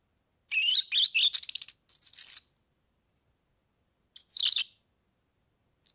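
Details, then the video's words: European serin singing a very high, fast, jingling twitter of buzzy notes for about two seconds, then a brief glassy burst after a pause; a track offered for tutoring birds. "ΦΩΝΕΣ ΑΠΟ ΟΡΓΑΝΕΛΙ EYROPEAN SERIN"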